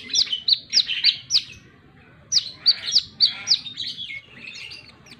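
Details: Plain-throated sunbird singing vigorously in wiceh style: five piercing high chips, a brief pause, then six more sharp notes fading into thin twittering.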